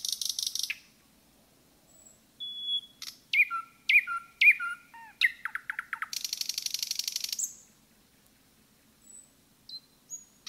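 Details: Common nightingale in a forest: a burst of buzzy notes, then a whistle, stacked repeated chirps, a long buzzing trill and scattered soft whistles.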